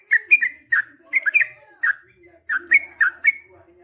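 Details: Yellow-vented bulbul (trucukan) in chatty long-rolling song, clusters of liquid, slurred gurgling notes, some paired and rising, delivered in quick uneven bursts.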